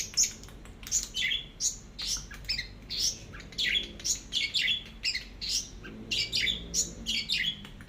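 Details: Orange-headed thrush in teler song mode, tutor recording: dense, harsh chattering notes and squeaky chirps delivered in rapid, choppy bursts, with a few brief whistled accents.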